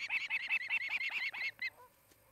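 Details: Osprey at its nest in Charlo, Montana, home to a nesting pair; rapid sharp whistled chirps in a quick burst, then a single fainter note as the series trails off.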